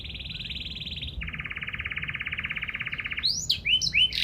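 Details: Canary trilling in 'gacor' style, sung to make other canaries answer: a high even rattle drops to a slightly lower, steady pulsing trill lasting about two seconds, then ends with loud sweeping whistled notes.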